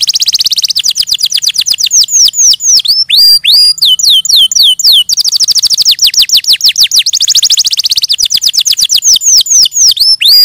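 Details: Canary song with long runs of rapid downward-sweeping whistled notes, interspersed with sharper chirps, continuing almost without pause.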